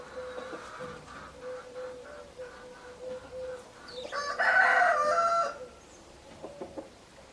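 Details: Hens cluck repeatedly in the background while a rooster crows once, loud and harsh for over a second, then the clucking continues softly.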